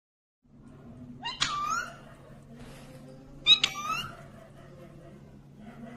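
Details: Parrot indoors giving two sharp, bright calls about two seconds apart, each a rising squawk that falls away, over a steady low room hum.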